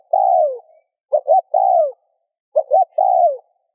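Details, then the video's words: Spotted dove cooing to encourage other doves to coo: a long falling note, then two full phrases of paired short notes and a drawn-out downward coo, clean and quiet background. "Tiếng cu gáy RÚT BỔI hiệu quả"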